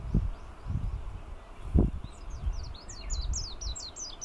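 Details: Warbling white-eye in Kunigami village, Yanbaru, northern Okinawa, on 25 March 2022; after low rumbling thumps, a rapid run of thin, very high twittering notes starts midway and continues to the end.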